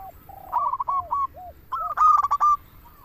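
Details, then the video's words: Local zebra dove used to lure doves into singing: a few soft wavering coos lead into a loud, rapid string of clipped, ringing notes, then a faint final coo. "Perkutut lokal gacor suara paling ampuh untuk pancingan burung perkutut agar bunyi"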